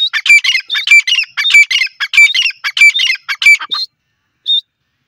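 Francolin calling in loud, harsh, rhythmic phrases, about six grating bursts repeated every half second or so, followed by a short pause and one last note.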